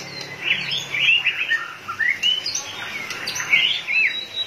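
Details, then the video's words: Excited white-rumped shama flicking its tail like a machine delivers crisp whistled phrases, a few rising sweeps and quick chirps, with short pauses between phrases. "chòe lửa căng lửa.đập đuôi như cái máy | murai batu"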